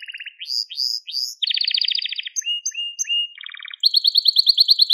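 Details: Crested Gloster canary song for training young canaries, moving from low trills and rising sweeps into a long rolling trill, short whistles, a low rattle and a high rapid pulsed trill.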